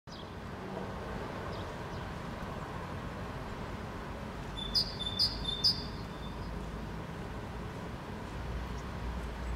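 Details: Great tit in Helsinki, Finland, May 2013, singing a two-syllable song. Three high, clear two-part phrases come about half a second apart in mid-clip, over steady low traffic rumble.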